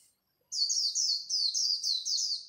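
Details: At dawn, a white-eye sings líu while competing: a continuous, high, rippling string of quick descending twitters lasting about two seconds, with no other sounds.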